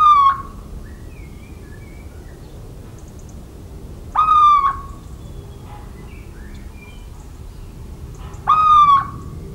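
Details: Three little owl song notes, recorded in the central French countryside on 17 March 2019: nasal, slightly upslurred whistles repeated roughly every four seconds, with faint distant birds chirping in between.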